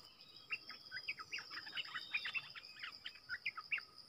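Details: Wild streaked bulbuls drawn by decoy calling, a family group: a steady series of short chirpy notes, about four per second, over a constant high insect whine and low hum.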